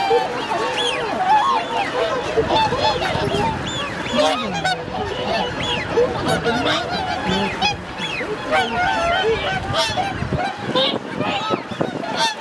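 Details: Dense chorus of a large wintering swan flock at Hyoko lake, Niigata Prefecture, Japan, 8 January 2022, with 2628 birds present; layered trumpeting honks overlap without pause, with occasional lower, drawn-out notes and brief louder bursts.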